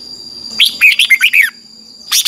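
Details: Red-whiskered bulbul singing in the morning as a training model for a wild-caught bird: one brisk phrase of five or six warbled notes, slurred downward, followed by the start of another burst.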